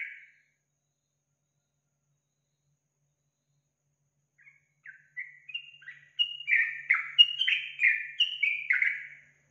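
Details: Yellow-vented bulbul song, played as a lure to prompt a kept bird to sing: after a brief note and long silence, a bubbly, chattering run of warbled phrases builds and grows louder over the last five seconds.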